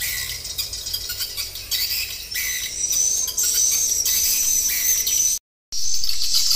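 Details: Lure sound for swiftlets, combining roosting and pulling calls so birds settle in a bird house: busy high-pitched twittering and buzzy trills from many birds, briefly cut to silence near the end before resuming.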